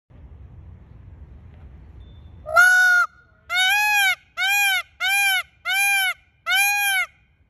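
Indian peafowl gives one loud nasal wail, then five shorter, evenly spaced honking cries under a second apart, rich and trumpet-like. A low rumble comes first.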